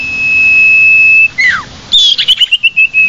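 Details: Common iora lure call for attracting the bird: one long steady whistle, a falling slur, then a quick series of short bouncing whistled notes.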